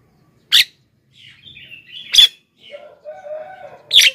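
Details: Black-winged myna in full song, played to lure wild birds and make other mynas answer. Three loud harsh bursts are linked by softer warbling phrases and steady whistled tones.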